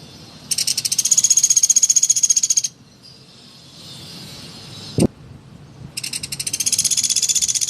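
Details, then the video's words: Lively woodpecker sounds used as a tutor recording for songbirds such as white-rumped shama, oriental magpie-robin and greater green leafbird: two long rapid high rattles separated by a quiet gap, one sharp knock in between. "suara burung pelatuk gacor"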